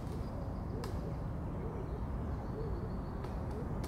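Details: Stock dove fighting in summer, giving soft, low, hollow cooing notes that rise and fall, repeated several times over a steady low rumble, with a few sharp clicks.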